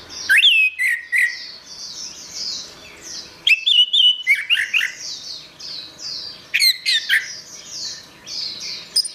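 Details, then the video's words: Orange-headed thrush in gacor style, a tutor recording for caged songbirds: three loud bursts of varied whistled, slurred phrases around two to four seconds apart, over a steady bed of softer high chattering. "Suara Burung Anis Merah | Gacor"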